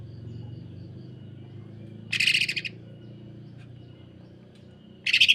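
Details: Short bursts of the greater green leafbird's harsh, rapid 'sewing machine' song. Two brief, fast, buzzy pulse trains are heard about three seconds apart over a soft low hum.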